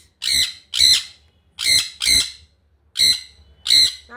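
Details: Pet sun conure screaming constantly indoors: shrill, harsh squawks in pairs, about six sharp screeches in four seconds, while a person talks to it in Bengali, asking it to fly over and sit.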